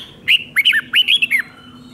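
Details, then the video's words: Five-syllable song of a red-whiskered bulbul from Thailand, used to teach young birds. One fast phrase of rolling, looping whistles that rise and dip, lasting just over a second against near silence. "เสียงนกกรงหัวจุกเบิ้ล2 เบิ้ล3 เพลง 5 พยางค์"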